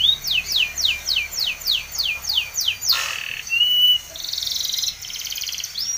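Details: Spanish Timbrado canary training song: a regular series of upswept chirps about three per second, a burst of noise, then a flat whistle and a buzzy held trill.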